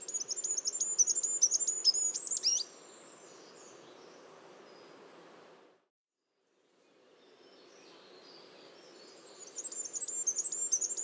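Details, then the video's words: Goldcrest song heard twice: a quick run of very high, thin, rhythmic notes ending in a twittered flourish, then a long quiet pause with a moment of silence, then the high series begins again. "Как поёт желтоголовый королёк"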